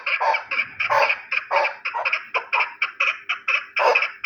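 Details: Chukar partridge of the Terali type calling in a steady, rapid series of loud, harsh chuk notes, roughly four each second, throughout.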